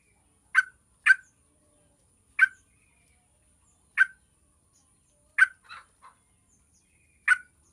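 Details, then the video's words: Yellow-vented bulbul recording played as a lure to get other bulbuls singing: short, harsh, buzzy chip notes given singly or in pairs at irregular intervals of one to two seconds, in silence. "PANCINGAN TRUCUKAN AGAR CEPAT BUNYI"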